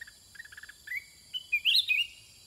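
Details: Sooty-headed Bulbul in a cage, answering wild birds: a run of quick, soft chirps rises into loud, slurred, whistled notes that climb and then fall.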